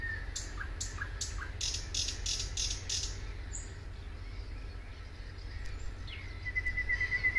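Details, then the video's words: Thrush nightingale song recorded at Suomenoja in 2022: a burst of sharp, dry clicks, a pause, then a fast rattling trill near the end, all over a constant low-pitched rumble. "Thrush Nightingale"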